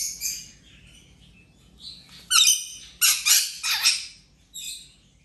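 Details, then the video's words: Rainbow lorikeet playing while recovering from an injury over ten days: harsh, broadband screeching squawks in short bursts, several clustered rapidly near the middle, with softer chattering between them in a quiet indoor setting. "Rainbow Lorikeet playing"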